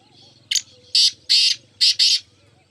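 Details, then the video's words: Black francolin, known locally as mushki teetar, giving a harsh grating phrase: one short clipped note, a pause, then two pairs of loud rasping notes, all within about two seconds, over a faint low hum. "muskie teetar ki awaaz"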